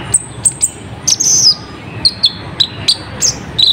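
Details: Kolibri ninja, an olive-backed sunbird, singing a lure song to attract wild birds: piercing high chips and short trilled whistles in snappy groups, with a longer warbled phrase near the start, over a quiet background.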